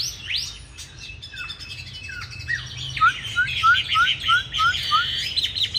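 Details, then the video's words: Chinese hwamei giving a fighting song, used to train hwamei to sing smoothly: a rich, varied phrase, then a run of clear rising whistles, about three a second, over busy higher notes. "Họa Mi Mắt Lục Đậu Thanh Hót Đấu ( Dùng luyện Mi hót bài êm không gắt )"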